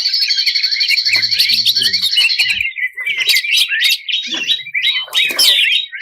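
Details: Greater green leafbird, 2021 national champion, with a 'ngebren' full-burst song: a fast, dense trill over a steady high ringing tone, then scattered sharp, sweeping high notes and clicks.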